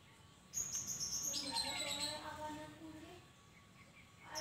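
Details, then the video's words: Sooty-headed bulbul, used as a lure to make other bulbuls answer, giving a bright, bubbling run of whistled notes for about two seconds, then trailing off, over a constant low hum. "suara burung kutilang"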